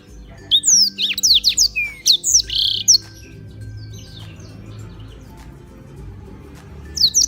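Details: Tutor black-throated canary from Beng, Gianyar, Bali delivers a three-second run of sharp high whistled and buzzy notes, then falls mostly quiet except for a brief final phrase.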